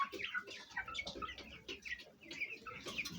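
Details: Fayumi hen with big chicks in a home hen-house: steady chorus of thin, downward-sliding chick peeps layered over muttered hen clucks, continuous with no quiet gaps.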